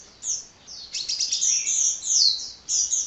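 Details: Non-stop hummingbird (kolibri) song: a sharp high note, then a rapid stream of squeaky, slurred chirps and fine trills that swell louder before a brief break and a final burst.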